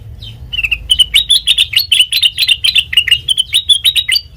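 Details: Sooty-headed bulbul pouring out a continuous, fast chattering song of bright, bubbly notes with slight upward inflections, used as a lure for training other songbirds; steady and loud throughout.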